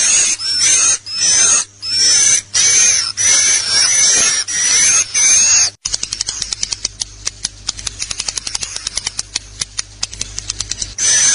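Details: Swiftlet lure track, the style called LIUR 77, used to draw swiftlets: long high buzzy chirps with short gaps between them, then a fast run of sharp dry clicks over a low steady hum.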